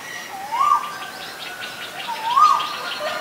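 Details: Male Asian koel uttering two rising whistled notes nearly two seconds apart, each climbing then holding briefly, with soft background twittering.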